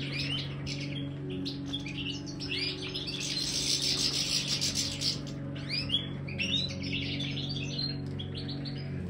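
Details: European goldfinch of the Major form, aviary bird sampling marigold, twitters rapidly, then gives a long harsh buzzy passage before resuming quick liquid chirps and rising notes; low electrical hum underneath.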